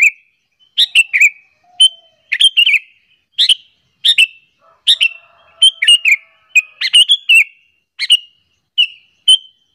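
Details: Sooty-headed bulbul giving its lure call to provoke other bulbuls; lively, continuous run of quick chirpy whistled notes, sometimes doubled or tripled, with barely any pause across the recording.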